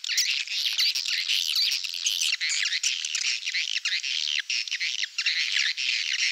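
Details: Swiftlet calling sound, Malaysian version, used in Indonesia to lure swiftlets for farming: loud, steady, overlapping high chirps and warbling twitters, broken by a few brief gaps.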